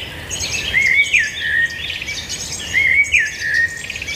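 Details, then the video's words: Birds singing: bright whistled phrases sliding between high and mid pitch, with a loud phrase about every two seconds over a faint chorus of other high chirps. "birds singing"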